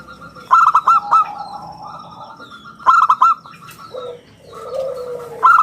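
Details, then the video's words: A local zebra dove in full song, its clear round voice used to lure and tutor other birds. Crisp clipped phrases of quick ringing notes come about every two and a half seconds, and softer low cooing is heard in between. "suara bulat kristal - perkutut lokal gacor suara istimewa buat pancingan dan masteran"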